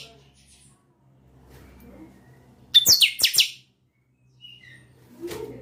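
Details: One loud, fast phrase from a captive-bred chanchão: a sharp note, then rapid buzzy downward sweeps lasting under a second. Faint, softer chirps and low background murmurs follow.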